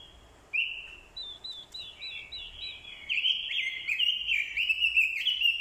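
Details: Decoy orange-headed thrush delivering fighting song, with a female's call included to rouse males; brief whistles, then a string of high repeated looping notes building into a loud, fast, slurred warble that runs to the end.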